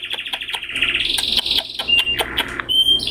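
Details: Rapid high chirping from a red canary chick at 20 days of age: fast repeated tweets running into a busy burst, then a few clear whistled notes at the end.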